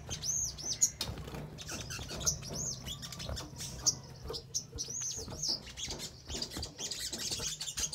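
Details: Crimson sunbird singing, played as a lure so other birds respond and call: high, arched, ringing notes repeated in loose runs, with a dense shimmering chatter near the end and a steady low background hum.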